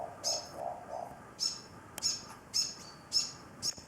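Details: Morepork, an older bird perched on the edge of a container and calling continuously to an injured younger bird with a broken wing; short, high chirping notes repeat roughly every half second to second, with faint low hoots at the start.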